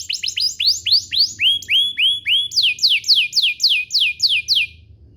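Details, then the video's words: Canary lure song to coax other canaries into singing: steady series of rising whistled swoops followed by evenly repeated falling notes, about three each second, fading at the end. "Pancingan Burung Kenari agar CEPAT BUNYI, terbukti ampuh bikin burung kenari lain nyaut"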